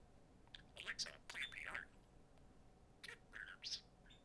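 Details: Pet budgerigars playing together indoors, one imitating human speech: quiet, voice-like chattering phrases with talking-like syllables in two bursts, the first near one second long and a second shorter burst after a pause, over a low room hum.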